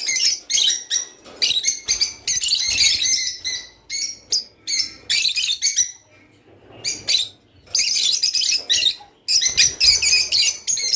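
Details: Java sparrow song to stir birds into mating: long stretches of rapid high chirping and chattering twitters, broken by a few quiet pauses.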